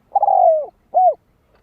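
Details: Spotted dove cooing as a lure to stir up other doves: a long, mellow, slightly falling coo, then after a short pause a briefer arched coo. The background is quiet.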